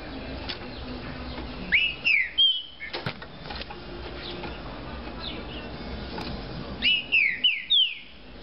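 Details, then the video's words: Green-winged saltator, a caged bird of the fibra type, sings two short phrases of clear, loud whistled notes, each note sliding downward, with a quiet pause between the phrases. "TRINCA FERRO DE FIBRA"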